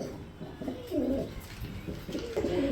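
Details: Pigeons kept as pairs with young at a farm in Savar, Dhaka, Bangladesh, with low throaty cooing in two rolling bouts, each about a second long, heard indoors in a small room.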